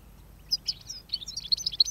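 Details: In autumn (5 November 2017), during goldfinch trapping, a European goldfinch gives a quick run of bright, tinkling high chirps after a quiet start, about ten notes in just over a second, over a faint low hum.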